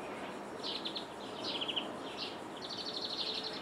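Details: European greenfinch in Jordan, through a window: short bursts of high twittering trills, three brief phrases followed by a longer rapid trill, with steady faint hiss behind.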